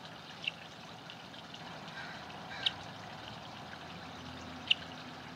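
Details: A varied thrush at a pond, chirping during a day-long fight with a female scrub-jay: three short, sharp, high chirps about every two seconds, over a steady hiss like running water.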